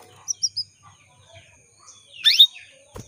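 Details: Calling female canary, used to stir males into singing. Three brief high chirps are followed by a loud, rising sweeping note.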